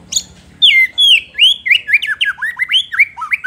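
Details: White-rumped shama singing vigorously to provoke rival shamas: a fast run of loud, clear whistled notes, many sliding up or down, following a brief high squeaky note, with quick varied phrases tumbling one after another.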